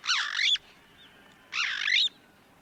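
White-crowned Starling giving two harsh, raspy, wavering calls about half a second long, spaced roughly a second apart, over a quiet background.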